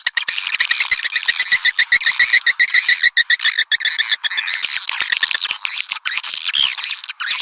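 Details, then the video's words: Swiftlet calls used as a lure to attract swiftlets: a loud, dense chorus of high, rasping twitters and chirps that overlap continuously, with short breaks in the stream and a steady shrill buzz underneath. "Panggil burung walet suara panggil"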